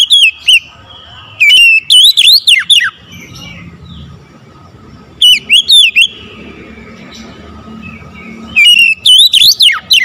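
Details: An oriental magpie-robin sings in the morning. Three bursts of rapid, looping whistled notes rise and fall steeply, separated by a few seconds of quiet with a thin steady tone and low murmur.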